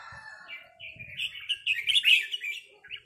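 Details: Red-whiskered bulbuls answer each other with 'rik' calls during a territorial encounter with a resident bird. A quick bright chattering run peaks in the middle, with faint low thumps at the start.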